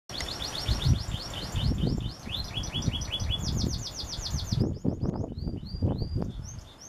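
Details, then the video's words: Singing canary delivering rapid trills of high, falling whistled notes, with one trill type giving way to the next and a higher, thinner run near the end, over constant low rumbling noise. "Canario Cantador"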